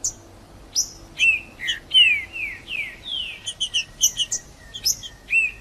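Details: Wild Green-winged saltator song meant to excite a caged bird: a few high sharp notes, then a run of loud downslurred whistles, followed by quick paired high chirps and a final falling whistle.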